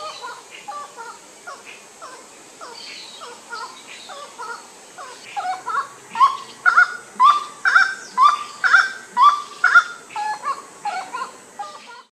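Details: Grey-cowled wood rail (Aramides cajaneus), call.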